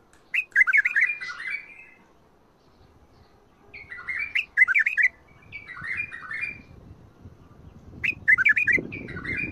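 A bulbul sings short, bubbly, liquid whistled phrases, about four in ten seconds, with pauses between them and a faint low rumble in the background.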